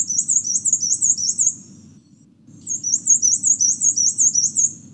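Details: Black-and-white warbler on St. John, Virgin Islands National Park, singing very high, thin two-note phrases, about three a second, in a squeaky wheel-like series that repeats after a short pause over a faint hum.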